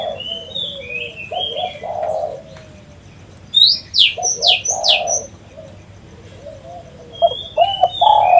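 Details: Spotted dove calling vigorously, a recording used for luring and attracting doves; low, hollow cooing phrases in bursts, with bright high chirps and whistles from other small birds overlapping between and over the coos.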